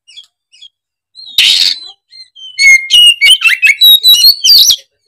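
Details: Oriental magpie-robin singing excitedly: faint soft whistles, a sudden harsh rasping burst, then a rapid string of loud clear whistles and twittering notes delivered in quick succession.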